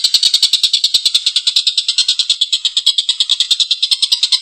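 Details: Collared kingfisher in full voice calling with a long, coarse laugh, a steady run of harsh, rasping notes at about three per second.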